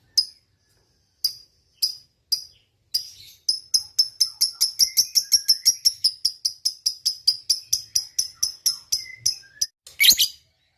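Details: Lovebird, a single bird in fighting mood, giving its long chatter: a fast, steady series of sharp, high clicking chirps running for several seconds after a few spaced opening notes, ending in a harsh burst.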